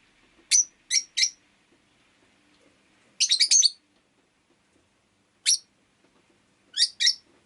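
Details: A rosy-faced lovebird gives sharp, high chirps: paired and single notes, then a quick four-note flurry, spaced by a second or more of near silence.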